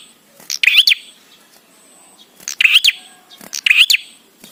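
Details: Bar-winged prinia singing to prompt other prinias to call: three loud, quick chirping bursts that sweep up and twist, spaced about two seconds apart, over a quiet background.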